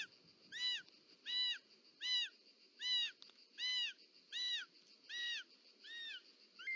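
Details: Snake delivery by a short-toed snake eagle mother at the nest, Ports natural park, Catalonia, July 2024. Nine arched, even whistled notes repeat steadily, roughly one per 0.8 seconds, with a faint steady high tone behind.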